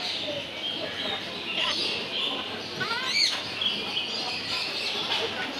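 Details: Talking green Eclectus parrot saying hello and bye bye; a cluster of rapid rising harmonic syllables peaks just past the middle, set against constant background hiss.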